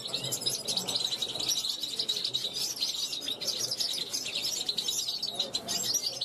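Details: 2021 European goldfinch on a balcony calling to wild goldfinches going by; continuous bright chattering of high, sharp chirps and tinkling trills, evenly busy throughout.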